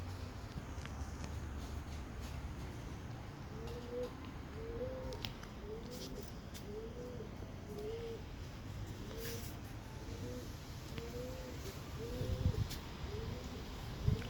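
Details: Bird making a strange sound: a steady series of low, short, arched hooting notes, evenly repeated about every second, set against constant background hiss and low rumble.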